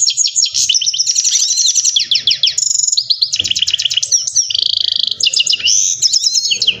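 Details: Himalayan goldfinch, locally called saira, singing a fast, continuous twittering song of high, bright chirps, rapid trilled runs and downslurred notes with brief buzzy phrases, barely pausing over nearly seven seconds.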